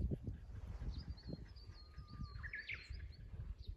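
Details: Japanese bush warbler singing in spring at a Hokkaido farm on 5 May 2022. A long steady whistle is followed by a quick rising flourish of brighter notes. It sounds faint over heavy low rumble, with a few distant chirps.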